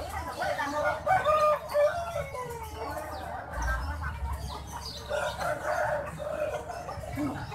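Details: A large rooster at Gawok market in Sukoharjo gives an unusual, drawn-out crow of several harsh, wavering syllables, said to sound like calling "Jokowi", repeated after a brief pause over a low background rumble.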